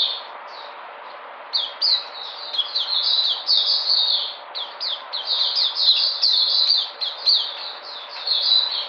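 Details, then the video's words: Puteh white-eye, 13 February 2020, coming back in energy: a quiet opening, then high twittering song starts and runs on in fast, uneven bursts of sliding notes. "Puteh Sunday coming back in energy"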